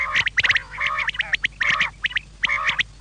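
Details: Evening quail calls: grating, nasal chattering phrases alternating with crisp clicks, in clumps separated by brief quiet gaps.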